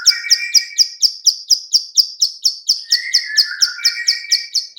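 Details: Female bar-winged prinia lure clicks: regular high, dry ticks about four per second, with a lower warbling whistle from another bird running underneath at the start and again near the end.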